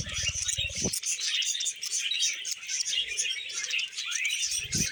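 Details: Budgerigars kept as pets chatter and warble while feeding on vegetables, a steady stream of high twittering notes and squeaks, with brief low rough bursts at the start and near the end.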